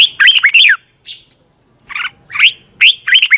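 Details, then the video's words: Red-whiskered bulbul morning song used for training birds: loud, rich warbled phrases with bright slurred notes, broken by short pauses and one faint note between bursts. "Luyện chào mào hót sáng"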